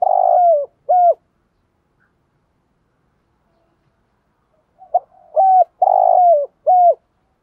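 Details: Decoy spotted dove in training coos: two low, husky, slightly falling notes open the recording, then a long pause, then a soft lead-in note and three more full, downward-sliding coos in quick succession.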